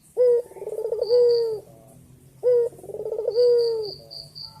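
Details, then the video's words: Two full coo phrases from a male white Barbary dove calling its mate, about two seconds apart. Each has a sharp start, a bubbling trill and a long sustained hum, with thin high twittering from another bird behind. "Puter Putih Gacor Jantan Memanggil Betina | Kicauan Penuh Energi Burung Puter Putih Gacor Dor Berkua"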